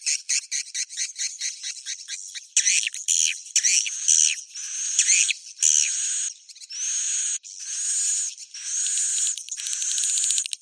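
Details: Swiftlet roosting call in Bhayangkari style: begins as fast rhythmic clicking chatter, then shifts into longer buzzy, hissing phrases with curved sliding notes.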